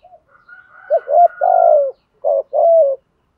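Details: A single spotted dove phrase meant to make newly caught birds coo back. Low, mellow coos build to a long drawn note, then two more rounded coos follow, with a faint higher tone above.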